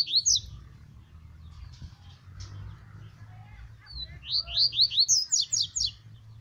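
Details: Double-collared seedeater song in the tuíca style: rapid runs of sharp, upslurred whistled notes, a quick series of about eight near the end, with a low background hum and scattered faint sounds.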